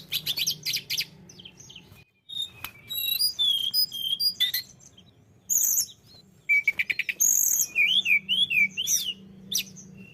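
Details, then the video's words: Tledekan gunung in lively song, a varied mix of high whistled chirps, short slurred notes and quick wavering trills, with brief pauses between phrases and a low background hum. "tledekan gunung gacor"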